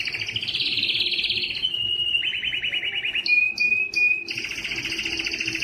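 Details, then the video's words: Canary, presented as Spanish timbrado, sings continuously in fast metallic trills, shifting between rolling and bell-like tours, with brief pure whistled notes near the end. "canary singing timbrado"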